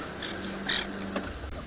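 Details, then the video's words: Francolin alarm calling on a morning game drive in a South African private game reserve on 12 July 2021, with impalas nearby and a possible leopard: a harsh, rasping note, then a shorter one, over engine hum. "But that's definitely an alarm call for a francolin."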